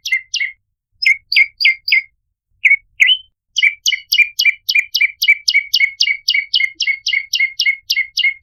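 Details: Ashy tailorbird (prenjak lumut) lure sound: paired and grouped falling chirps with gaps, followed by a long, fast, even series of bright repeated notes; silent background.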